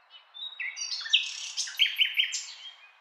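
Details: Nightingale song fragment: a brief burst of mixed whistled and harsh notes, followed by three quick emphatic clicking notes at an even pace.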